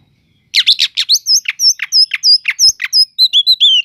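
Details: Oriental magpie-robin song meant to rouse other magpie-robins: a fast, steady string of sharp, high, harsh notes about five per second, overlaid by thin high whistles, ending in a falling whistled slur.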